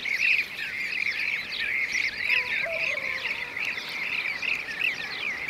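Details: Blue-cheeked bee-eaters give a steady stream of rolling, trilled calls from several birds at once, recorded while hunting bees; a brief lower whistle from another bird cuts in midway.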